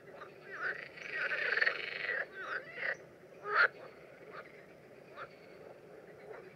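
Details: Common terns during mating behaviour in the Danube Delta in June 2016. A long, harsh, raspy call is drawn out for about a second, then come several shorter grating notes and brief sharp calls spaced irregularly.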